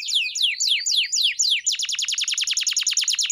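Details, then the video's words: Canary song meant for teaching pet canaries: looping slurred whistles sweeping downward, then a rapid chopped trill of clear high pulses repeated several times per second. "Kenari GACOR‼️ (EPISODE 298) Masteran Burung Kenari _ CANARY SINGING__ الكناري"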